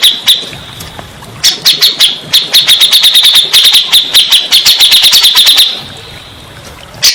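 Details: Grey-cheeked bulbul singing, recorded as therapy for stressed birds that stopped singing. A couple of high notes open, then a long, fast series of sharp, clipped chips, roughly three per second, ends in a pause and one more note.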